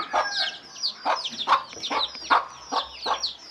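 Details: Short run of a mother hen's food-calling clucks, about two to three per second, deep and abrupt, with chicks peeping in thin, falling notes all around.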